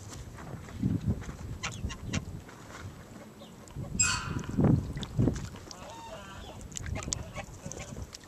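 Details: Cotton Patch geese, a rare heritage breed, a ranch-raised flock bathing: scattered low hoarse honks, loudest in a short burst midway, with splashing water between calls.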